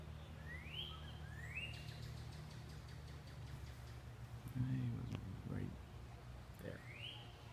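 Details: A male northern cardinal, near empty bird feeders in the morning where it had been with a female, gives clear, rising slurred whistles, two close together and one later, over a steady low hum with a man speaking briefly.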